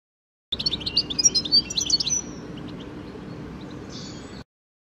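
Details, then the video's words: Garden European goldfinch song: a quick jangle of bright, high chirps and liquid trills lasting under two seconds, followed by a faint, short buzzy note, with low hum beneath. "Bird Song ID : European Goldfinch"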